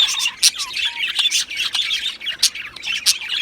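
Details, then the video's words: Pair of male Australian budgies giving bursts of sharp chirps and squawky notes, with a couple of clear falling whistles early on and loud clicks every half second or so. "2 Male Budgies Birds Sounds | Australian Budgies Birds chirping sounds"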